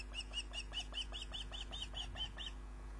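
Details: Osprey at its nest, picked up by a live nest camera on 29 June 2010 around 22:34: a rapid series of about thirteen high, arched, whistled cheeps, roughly five per second, over a steady low electrical hum.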